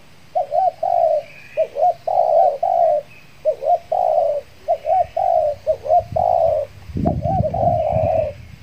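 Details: Spotted dove decoy from Kepri after its moult, luring wild birds; a regular series of short hooked coos each followed by a longer burry note, with low thumping handling noise near the end.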